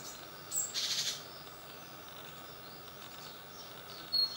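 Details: Second-brood young great tits leaving their nest box on a balcony at 7 am: one rasping, buzzy call near the start, then a thin high chirp, with quiet background between.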